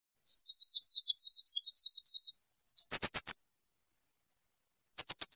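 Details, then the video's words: Blue-crowned hanging parrot in a clear training recording for caged birds: a run of rapid, high, thin chattering trill bursts, then short groups of four sharp, piercing high notes, with silent gaps and no other sounds. "Lagu jernih SUARA BURUNG SRINDIT"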